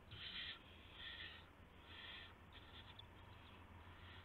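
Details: An owl at its nest at 1:00 AM on March 24, 2016, after a gopher is delivered as prey; three strong rasping hisses followed by fainter, fading ones over low mechanical hum.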